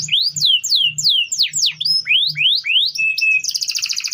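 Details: Canary song used as a tutor for other birds: looping whistled upsweeps and downslurs, a level whistle, then a fast buzzing trill.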